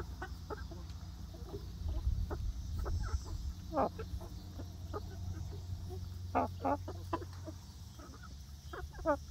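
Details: A flock of young laying hens exploring their new outdoor backyard coop run on day one, giving irregular clucks and brief rising chirps, sometimes in quick pairs, above a constant low-pitched hum.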